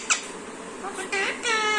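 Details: A 2-year-old female pet Alexandrine parakeet talking in Bengali: short, harsh, speech-like bursts, a squeaky syllable then two longer rising, wavering phrases, in a quiet room.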